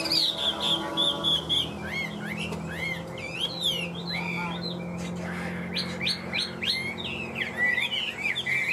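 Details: Chinese hwamei, tame and caged, offered for sale, opening with a sustained high whistle and moving into quick, jumpy warbled phrases and bursts of sharp notes, with a steady low hum beneath.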